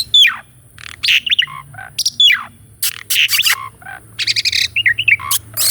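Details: Asian pied starling singing a varied repertoire, recorded to train a caged starling; falling whistled slurs repeated twice, loud buzzy bursts, warbles and a closing chatter, over a faint hum.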